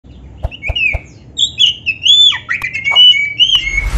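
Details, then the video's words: Black-breasted oriental magpie-robin, a cage bird, singing a varied full song played to train other birds to sing: clear whistled phrases, slurred upward and downward, mixed with a few harsh notes and a raspy burst at the end. "SUARA BURUNG KACER MASTERAN GACOR ‼️Full Variasi isian MEWAH"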